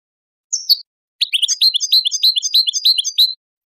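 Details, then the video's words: Singing European goldfinch from a song-training and mating-stimulation recording for breeders: a brief high call, then a fast run of repeated twittering notes at about three per second, bright and liquid. "improving goldfinch singing skills exercises and training"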